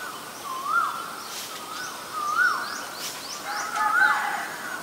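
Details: Recorded in Ubon Ratchathani, Thailand, on 10 February 2023, a Black-collared starling gives three whistled notes that rise then fall, about one and a half seconds apart. The last is fuller, and faint high chirps from other birds come between them.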